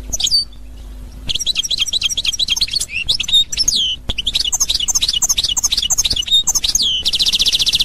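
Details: European goldfinch singing in the authentic Constantine style, recorded 2021: rapid high twittering of short chirps and slurred notes, a brief pause near one second, ending in a dense buzzy trill.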